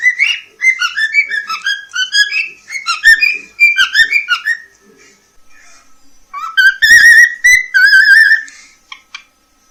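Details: Polish pet cockatiel, competitor in a talking-bird championship, sings to its beloved: a rapid, bouncing sequence of whistled notes, a short silence, then two long wavering whistles rising at the start.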